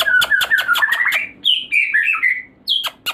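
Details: White-rumped shama song played as a lure to raise breeding drive: a run of harsh, chattering notes that step upward, then slurred whistled phrases and a few sharp closing chips.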